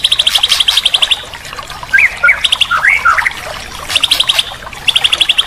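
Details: Training song of a white-rumped shama, played so a bird that has gone quiet will sing again: bursts of rapid, evenly spaced high notes alternate with a few lower, twisting whistled phrases.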